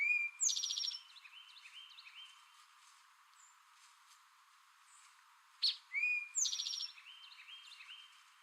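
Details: Two 'drink your tea' songs from a male Eastern towhee, about five seconds apart. Each is a clipped note and a falling whistle, then a rapid ringing trill. Soft twittering from other birds fills the gaps.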